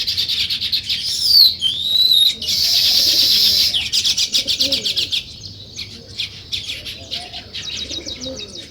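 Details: Morning chirping of sparrows: sharp high chirps and a harsh chattering burst, followed by rapid repeated chips that fade; doves coo softly in the background.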